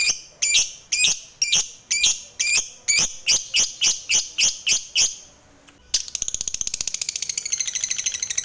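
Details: Lovebird, the fighter type, singing to provoke other lovebirds. The bird gives a series of sharp, high chirps, about two a second, then pauses briefly. After the pause comes a fast, buzzy trill of rapid repeated high notes.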